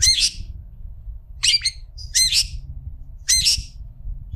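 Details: A long-tailed shrike gives four loud, grating, nasal squawks spaced about a second apart, with brief quieter notes between. The recording serves as a tutor for other shrikes. A low background hum is present.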